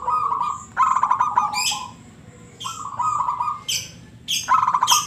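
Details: Local zebra dove in ngebrem song, vibrating cooed phrases roughly every 1.7 seconds, each trailing into a smooth held note, with crisp high rasping sounds ending each phrase.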